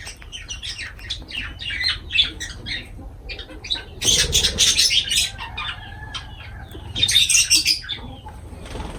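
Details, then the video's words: Lovebirds give rapid, shrill, high chirps, several each second, with two bursts of loud rustling or wing-flutter. "Love birds voice sound"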